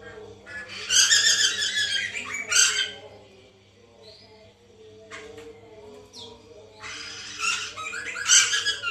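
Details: Captive white-crested laughingthrush sound used to prompt a caged bird to sing: two loud stretches of rasping, broadband chattering, early and late, separated by faint short whistles and quiet calls over a constant low drone.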